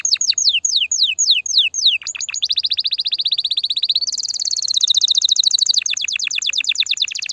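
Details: Excited canary song to stimulate mating: sweeping descending whistles, then a buzzy, very fast trill that jumps higher halfway through and keeps rolling.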